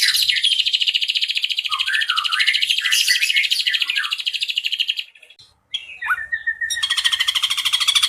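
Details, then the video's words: Ashy drongo, a master bird, singing a dense high rattling trill mixed with chattering whistled notes for five seconds. After a brief silence it gives a short downslurred whistle, then the trill resumes. "MASTERAN BURUNG SRIGUNTING ABU ABU MEWAH NEMBAK CILILIN 10 DETIK"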